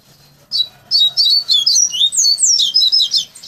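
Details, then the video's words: A hand-reared captive double-collared seedeater, tutored in song from a chick for 3–5 months, sings its finished flute-like song: a fast, continuous run of high, sweet whistles and twitters sweeping up and down over faint room hum. "COLEIRO BAIANO TONZÉ. QUALIDADES DAS QUALIDADES."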